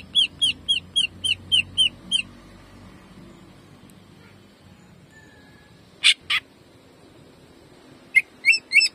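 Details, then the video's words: Cucak ijo (greater green leafbird) jamtrok song: seven evenly spaced hooked whistled notes, a long quiet gap, two loud rasping bursts, then a few more sharp notes near the end. "CUCAK IJO GACOR JAMTROK TEMBAKANYA BIKIN PANAS"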